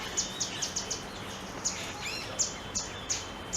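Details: Grey-headed canary-flycatcher wintering at Sundarvan, Ahmedabad, a migrant from the Himalayas, actively foraging and announcing its presence. It gives a rapid, uneven series of about ten sharp, high chips, with a brief lower warble from another bird midway, over background hiss.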